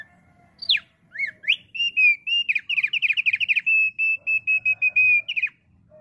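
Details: Thick-billed heleia singing actively, used as a lure to draw wild birds: a few sharp rising whistles, then a long fast run of repeated clear chirping notes at a steady high pitch, ending in a falling slur. Quiet background.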